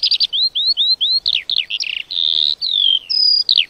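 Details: Lark song opening with a few quick chirps, then a series of four upward-slurred whistles, followed by buzzy jumbled notes, a long steady shrill tone and a falling whistle.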